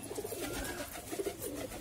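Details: Golla pigeons kept for breeding, egg-laying and raising young, recorded in 2022. Low, throaty cooing notes come in short repeated pulses, several per second, against a steady hiss in what sounds like a small room.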